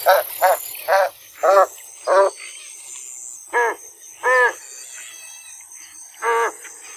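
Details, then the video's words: Series of about nine hoarse, nasal honks from an American white ibis, delivered in irregular bursts, some closely paired and others spaced over a second apart, with a soft hiss behind. "American White Ibis(Eudocimus albus) Call"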